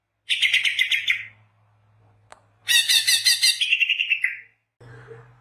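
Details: Greater green leafbird song used to lure birds: two dense bursts of high, chattering, buzzy notes with quick twittering trills, separated by a pause, ending with a faint low hum.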